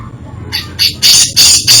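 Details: Grey-cheeked bulbul singing a varied isian song: three harsh, squawky bursts in quick succession, each broadband and bright, following a near-silent opening.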